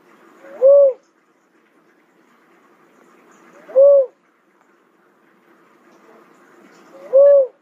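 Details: Cuckoo-dove calling with single short, low, soft coos, each rising then falling slightly, spaced about three seconds apart, three in all, over a faint low hum.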